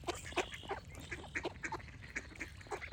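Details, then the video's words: Ducks quacking over a constant low hum: a dense run of short, nasal, harmonic calls from several birds, overlapping and repeated several times a second, with faint higher chirps from other birds behind. "Cute Duck Quack Sound Effects with Birds Singing"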